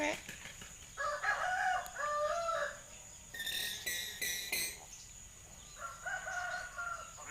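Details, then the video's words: Common hill myna coughing and chattering like a human: nasal, harmonic voice-like phrases, then a run of harsh, breathy bursts, then more drawn-out speech-like tones. "Burung beo batuk dan ngoceh seperti manusia"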